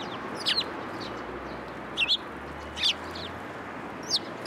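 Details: Sparrows coming to a pillar for food at a Tenmangu shrine on 1 February 2023: four short, sharp, high chirps spaced roughly a second apart, over a steady low hum.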